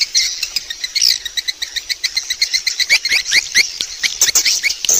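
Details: Swiftlet lure call: quick, evenly spaced sharp chirps, several per second, each a short bright note, with a thin steady high tone in the background.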